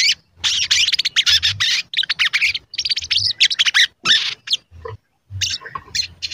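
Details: Sogon giving its cuit cuit chatter as a lure to excite other sogon: nearly continuous volleys of high, rapid twittering notes broken by brief gaps, tapering into a few isolated chirps near the end.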